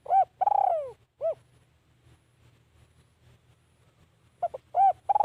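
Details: A decoy spotted dove luring wild birds. Two bursts of coos: arched hooting notes and a long falling coo open the clip, and after a quiet gap a clustered series of coos ends it. A low background hum runs throughout.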